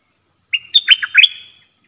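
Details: Dok taeng style song of a caged red-whiskered bulbul decoy bird: a short note, then a quick run of warbled, fluty whistles dipping and rising, ending with a trailing slur, clean and loud.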